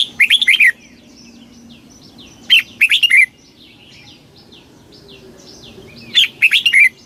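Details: Red-whiskered bulbul singing a very fast 'kích bổi' style song: short bursts of four or five loud, bright, slurred notes, repeated about every three seconds, with quiet chirping and a low hum between phrases.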